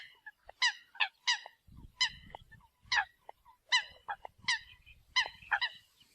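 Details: Eurasian coot, recorded as a decoy call: clipped, nasal honks repeated at uneven intervals of about half a second to a second, with brief quieter notes and a low background rumble.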